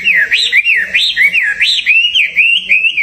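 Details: Caged songbird readied for a singing contest delivers clear whistled song, a looping rise-and-fall phrase repeated about three times a second, bright and loud.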